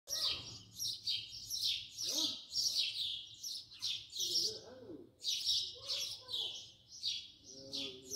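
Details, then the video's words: House sparrow filmed close up, giving repeated bright chirps about twice a second, each a short high burst, with faint lower-pitched sounds of other birds underneath. "voice song call house sparrow صوت عصفور الدوري"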